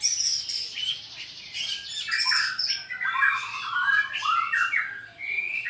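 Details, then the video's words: White-rumped shama from Borneo, Sarawak, singing in a challenging, fight-provoking way: a fast, unbroken song of clear whistles, rapid chatters and squeaky, scratchy notes, shifting between high and middle pitches; White-rumped shama. "Kicau kecor murai batu"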